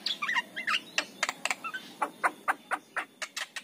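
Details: Javan myna singing in the morning to lure other mynas, starting with squeaky whistled slurs, then a regular series of short sharp chattering notes about four per second.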